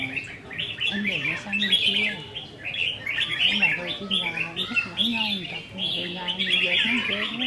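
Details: Caged red-whiskered bulbuls in a singing contest on 15 May 2021: bursts of bright chattering, warbled phrases overlap almost without pause, with a man talking low underneath.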